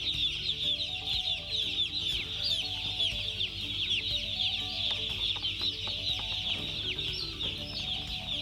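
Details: Many broiler chicks calling at once, a busy wall of sharp, high peeps with some louder rising cheeps standing out, and a faint steady hum below.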